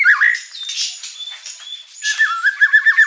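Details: Energetic white-rumped shama song rich in mimicked material, used as a lure for rival birds: varied warbling twitters and thin high whistles, ending in quick looping, bouncing notes repeated about four times a second.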